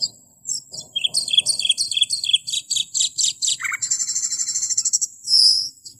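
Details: Cucak keling masteran song: a fast, insect-like buzzing trill of pulsed notes lasting several seconds, a falling slur, then a short high squeal.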